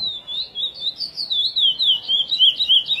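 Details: Chestnut-bellied seed finch, curió praia song style, edited for song tutoring; smooth whistled phrase of gliding, wavering notes, steadily repeated about three times a second, clean and loud.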